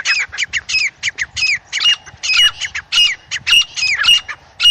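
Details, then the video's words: Francolin recorded in natural jungle habitat: continuous loud, harsh squawking notes with hooked, falling tones, delivered in quick irregular groups throughout with no break. "Viral Acha Teetar Voice | Real Jungle Teetar Sound"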